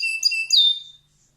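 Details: Canary in full song, used as a training model for competition songbirds: a brief burst of high, clear whistled notes with a quick rising sweep, then it stops abruptly.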